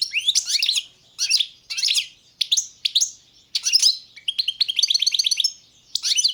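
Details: Song of a European goldfinch, Balkan race Carduelis balcanica: short clusters of sharp, high chirps and twitters, then a quick run of evenly repeated tinkling notes, ending with another chirpy burst.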